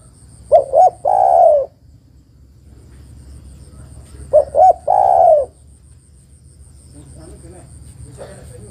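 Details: Female spotted dove calling to a male, a call used for luring birds. Two short clipped coos and a long drawn, falling coo, given twice about four seconds apart with quiet pauses between phrases.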